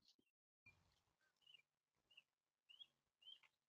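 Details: Wild Monk Parakeets in Florida on a hot day give faint, short, harsh chattering squawks, repeated roughly every half second to second, with light background noise.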